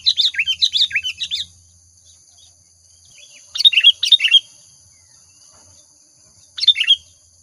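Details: Actively singing sooty-headed bulbul, a lure recording: an opening burst of rapid chirpy whistled notes, then two shorter bubbly phrases after long pauses, over faint low background hum.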